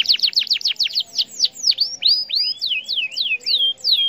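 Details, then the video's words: Provoking song of a canary meant to make other canaries respond: a run of loud, swooping downslurred and upslurred whistles at a lively pace, some overlapping in a bright, excited stream. "Kenari MANA saja BAKAL LANGSUNG Respon,,!! Dengan Pancingan Kenari Gacor Cuit Cuit EMOSI IN"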